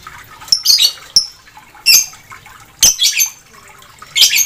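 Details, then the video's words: Dark blue lovebird in lively song, giving irregular, very high, shrill squawks and clipped chirps, some in short double or triple clusters, against faint background noise. "LOVEBIRD BIRU MANGSI GACOR"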